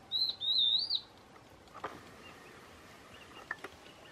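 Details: Two clear, high whistled notes from a stripe-backed antbird, known in Brazil as piu-piu, the second note wavering slightly. Silence follows, broken by faint clicks and distant rustling.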